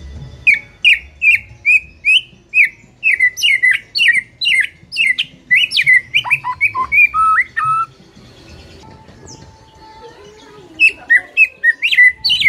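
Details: White-rumped shama delivering a long, fast string of short sharp chirped notes, roughly two per second, then a tumbling descending phrase before a pause and a few more high chirps.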